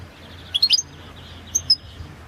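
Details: Balkan goldfinch, Carduelis carduelis balcanica, recorded for a 2022 internet world singing championship, gives two short bursts of sharp high tinkling notes separated by a pause, against a quiet background hiss.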